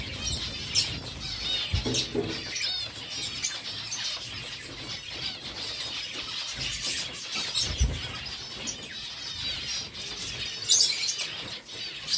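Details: Captive zebra finches eating seeds: a dense flock chatter of short, high, nasal arched notes repeated in quick overlapping bursts, with occasional louder clatters and rustling underneath.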